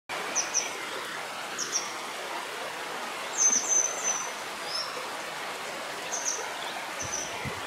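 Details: Grey wagtail calls beside the Couze Pavin stream, with a second bird also calling: thin, sharp high notes given singly or in quick pairs at irregular intervals, over the constant rushing noise of running water.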